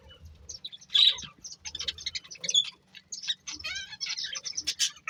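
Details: Budgerigars of a breeding pair give soft, scratchy high chirps and warbling twitters in irregular bursts, quieter overall, over a faint low hum.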